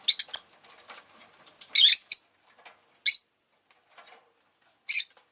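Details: Rosy-faced lovebirds chirping fairly actively, with short, shrill, scratchy chirps in scattered bursts, some doubled, over a faint background of clicks and soft rustling.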